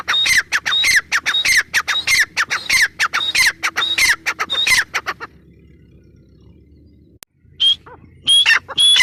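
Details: Calling female grey francolin (Irani teetar) gives a rapid run of harsh, scratchy notes mixed with short high whistled tones for about five seconds, then falls silent before a few more whistled notes near the end.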